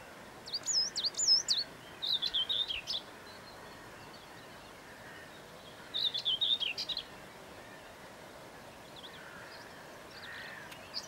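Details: Red kite, morning of 15 May 2020, in fields beside the road near Sandy, Bedfordshire, circling and then taking a rabbit after an argument with a crow or rook. It gives high, wavering whistled mews in three bursts a few seconds apart over soft rural background noise.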